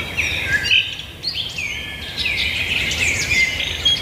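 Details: A dense chorus of birds singing, overlapping high chirps and sweeping whistles with no single voice standing out, and a soft background hiss.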